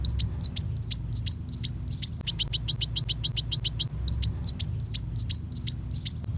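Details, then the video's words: High-pitched kolibri wulung (Van Hasselt's sunbird) song for white-rumped shama training: hooked chirps alternate with a middle stretch of rapid, evenly spaced needle-like ticks, then return to the slurred notes. "Pancingan Kolibri Wulung Full Tembakan Besetan Pedas"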